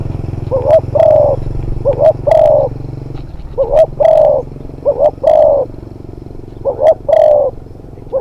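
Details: Spotted dove trained as a hunting decoy, a new young bird on its second outing, steadily repeating low cooing phrases of two short notes and a long coo, about every one and a half seconds, over a low hum.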